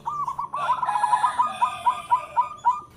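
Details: Local zebra dove, or perkutut, calling: a soft, even trill of short rolling notes, about four each second, dimmer and more distant than the loud phrases of this bird's song.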